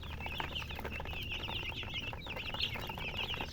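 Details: Chicks of domestic chicken giving a lively chorus of high, clipped, downslurred peeps, several birds overlapping in quick succession, with soft low hum underneath.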